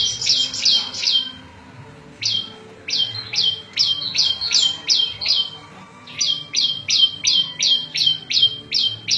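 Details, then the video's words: Buzzy, scratchy repeated notes from a prenjak lumut (prinia), in quick even trains with brief breaks, a variation song for tutoring cage birds and attracting wild birds. "Suara Variasi prenjak lumut cocok buat masteran&pikat burung liar"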